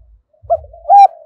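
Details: Decoy spotted dove cooing in the early morning to lure wild doves. Cooing is in the 'giọng thổ' style. Two short, mellow coo notes are heard, the second longer and louder, over soft low rumbling.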